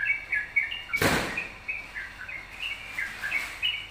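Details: Yellow-vented bulbul singing energetically as a lure for other songbirds: quick repeated chirpy notes, steady through the clip, interrupted once by a loud bang about a second in.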